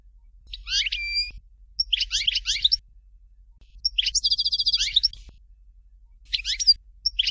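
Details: Dalya-style "Fort de L'eau" song from a European goldfinch: a run of quick liquid twittering phrases, including a fast buzzy trill of evenly spaced notes in the middle, with short pauses between phrases.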